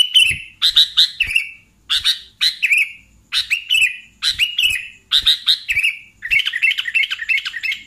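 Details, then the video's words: Sooty-headed bulbul calling, used as a lure for catching bulbuls: clustered bright chirps with descending warbled tails, repeated phrase after phrase, ending in a rapid chattering run. "SUARA BURUNG Kutilang Pikat"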